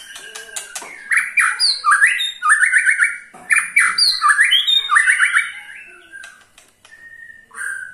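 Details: White-rumped shama's ketrekan to draw song from other shamas: loud repeated rattling phrases, about four a second, each a chattering click burst with a whistled rise, fading near the end.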